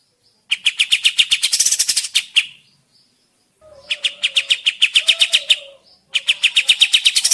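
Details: Sooty-headed bulbul song used as a lure to provoke answering song: three bursts of quick staccato notes with gaps between, and a fainter lower wavering tone under the middle bout.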